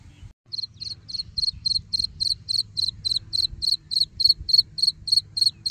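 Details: Young black francolin giving an unbroken string of shrill, evenly spaced peeps, roughly three each second, starting after a brief pause and holding steady to the end.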